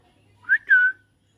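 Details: Talking parrot eating chilli gives two loud whistled notes, the second a longer falling slur.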